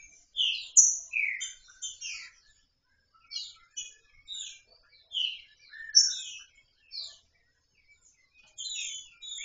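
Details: A free-flying (loose) female Green-winged Saltator, described as soliciting mating, gives bursts of high, sharp chirps and short slurred notes, repeated in quick groups every second or two against a quiet background.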